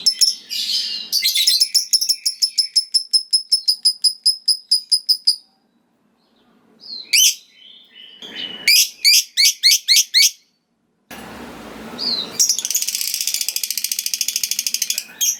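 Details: Lovebird singing its long ngekek trill, said to make rival lovebirds answer: fast buzzy pulsed trills for about four seconds, sharp high chirps and short rattles, then another rapid trill at the end.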